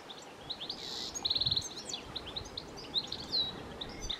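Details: Goldfinch calling in Brandon: bright high chirps and twittering notes, with a short rapid trill of repeated notes near the middle and faint outdoor background noise.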